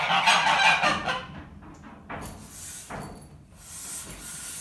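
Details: Two geese in a barn express disapproval of a new ferret playpen, trying to bite through the mesh; loud, harsh, overlapping honks dominate the first second, then fade into quieter rustling and scattered calls.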